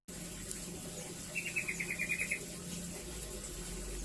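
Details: Rambatan (velvet-fronted nuthatch) song, used as a training model for white-rumped shamas and other songbirds: one quick trill of about ten sharp, evenly spaced high notes lasting one second, over a steady background hiss.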